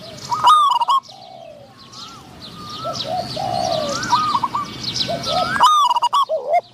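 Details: Spotted dove decoy luring wild doves, a medium-voiced wild bird calling back; loud coo bursts open and close the passage, with a string of softer rising coos and dense chirping of other birds between.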